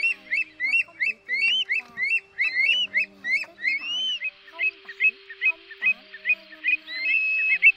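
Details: Migrating greater sand plovers calling as a flock, used at night in August 2024 to attract birds to nets: rapid series of short upward-hooked whistles about twice per second, some longer curving whistles, steady hum beneath.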